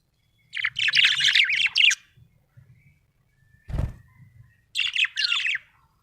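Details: Happy pet budgerigar chirping in bursts of fast, scratchy warbled twitters, two chattering phrases separated by a short pause and a soft thump, then another brief twittering run.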